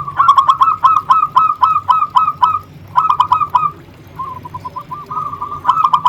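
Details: Local zebra dove singing vigorously, recorded as a lure to stimulate other zebra doves: fast runs of short, hooked, mid-pitched cooing notes, about four per second, in bursts with brief pauses and a softer trill near the end.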